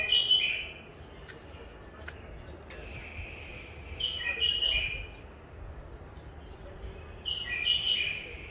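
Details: Wild bulbul caught near Mandali in Iraq, in its first isolation, repeats a short, bubbling whistled phrase three times, spaced about four seconds apart, with soft clicks and background hiss between.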